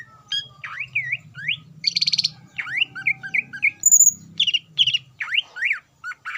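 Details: Greater green leafbird song for provoking other leafbirds: a varied medley of swooping chirps, rattling buzzes and a high pure whistle, delivered quickly in mimic-like phrases over a soft low hum.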